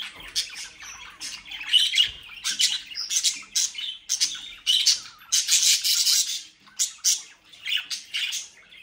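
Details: Budgerigars bred in South Holland, Netherlands, near Den Haag, described as mischievous, give a lively run of raspy squawks and short warbled chirps, grouped in bursts separated by short pauses, getting busier midway.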